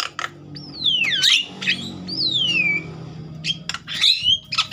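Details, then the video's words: Javan myna in agitated song for stimulating other mynas: long descending whistled glides separated by short harsh bursts, with a faint low hum underneath. "Jalak kebo ngamuk...merangsang jalak kebo bakalan cepat bunyi"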